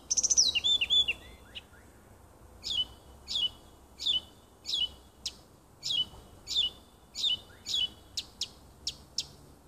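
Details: Nightingale singing in a small wood near a home on 30 June 2015: a quick whistled flourish, then a loud, sharp downslurred note repeated about every half-second for several seconds, with only faint background hiss.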